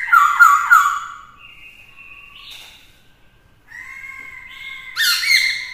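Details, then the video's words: Black-throated laughingthrush singing to provoke a duel, with a female alongside; a burst of quick whistled notes, a pause with thin held tones, then another loud rising phrase. "Khướu mộc hót kích đấu - Khướu bạc má hót nhiều giọng hay"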